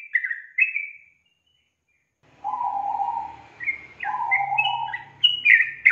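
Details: Sooty-headed bulbul song used as a lure to stimulate a young, reluctant bird to sing: short bubbly whistled phrases, a gap of near silence, then lower warbled notes around mid pitch with higher chirps over faint low hum.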